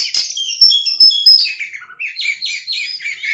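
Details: Kacer, the oriental magpie-robin, in full loud song: sharp high whistled notes and squeaky trills, followed by a quick series of downward-slurred sweet phrases repeated several times a second.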